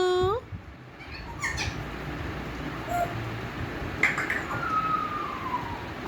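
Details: An African grey parrot repeats "Allahu": a brief, voice-like rising syllable followed by a quieter drawn-out whistle that slides downward, over a faint indoor background.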